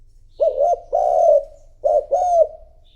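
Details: A decoy spotted dove calls wild doves with two mellow coo phrases about 1.4 seconds apart. Each phrase is a short note then a longer, gently falling coo, and no other sounds intrude.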